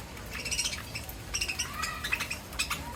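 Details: Parrots on a foreign-bird farm at feeding time, calling in quick, harmonic chirps and squeaks repeated in short bursts. Several birds overlap, with a rising whistle partway through.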